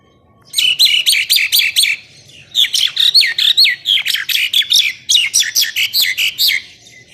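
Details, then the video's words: Bird heard on a master track for contest birds; rhythmic bursts of harsh chirps in groups of about six, separated by short quiet gaps. "MASTERAN BURUNG MEWAH TERBARU, FULL DURASI TEMBAKAN"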